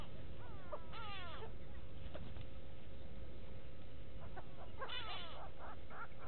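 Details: Go-away birds calling at Gowrie dam, Djuma Game Reserve, South Africa, 06/06/18: a run of falling, nasal wails opens the sequence, a second burst of calls comes later, and a deep background drone persists.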